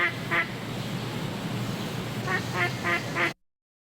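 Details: Duck quacking in an educational listening exercise: one nasal quack near the start, then a run of four rapid quacks near the end, over a steady background hiss.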